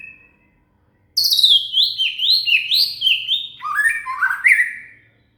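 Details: Loud, varied shama (murai) song used to tutor a cililin: a quick chain of rising and falling slurred high notes, stepping down in pitch toward the end, strong and continuous for four seconds.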